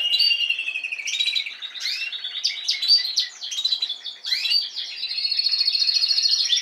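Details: Spanish Timbrado canaries, recorded the previous season, sing a continuous high, metallic song of rolling trills and quick sweeping notes, ending in a fast, even pulsed trill; nothing else is heard.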